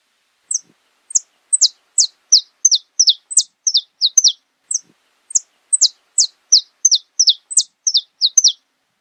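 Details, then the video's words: Saffron finch (Sicalis flaveola), known in Brazil as canário-da-terra, singing a brisk series of sharp, high, descending chip notes, about three per second in loose bursts with brief pauses, clean background. "CANTO CANÁRIO DA TERRA"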